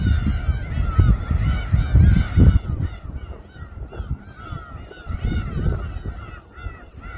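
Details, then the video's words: Gulls calling in chorus over a boat at Samgilpo harbour, Daesan-eup, Seosan, South Chungcheong, Korea, where raw fish is sliced on deck; many overlapping arched, nasal mewing cries repeat rapidly above heavy low rumbling noise. "서산의 맛 회뜨는 선상 갈매기 합창"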